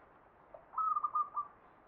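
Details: A single short phrase of zebra dove (perkutut) song in the ngepat Mataram Jogja style: four quick, clear, mid-pitched cooing notes in a tight run, with light background hiss.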